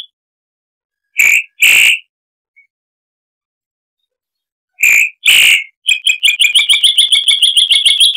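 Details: Chalk-browed mockingbird, harsh-voiced song recorded as a tutor for cage birds. Scattered pairs of harsh notes with long silences, then a fast, accelerating series of repeated sharp chips.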